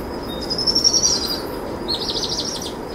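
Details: Two powerful owl chicks being fed a brushtail possum by their mother after dusk: a thin high whistled tone, then a rapid high trilling burst, over steady broadband background noise.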